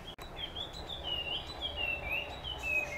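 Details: In the morning a puff-throated babbler delivers a flowing series of clear, slurred whistles that rise and fall, following a brief click at the start, over soft ambient outdoor noise.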